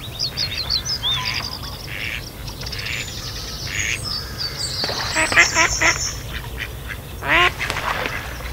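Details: Mallard pair roughly mating at Kirriemuir RSPB, another male attacking the mating male as the female calls: a burst of rapid harsh quacks, then a louder single quack, amid high bird whistles and chatter.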